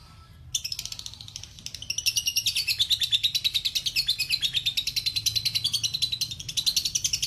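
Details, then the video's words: Lovebird giving a long 'ngekek' trill, used as a master recording: a rapid, high, chattering pulse train of about ten notes per second that starts abruptly, dips slightly in pitch midway and rises again, running unbroken for nearly seven seconds. "Lovebird ngekek panjang"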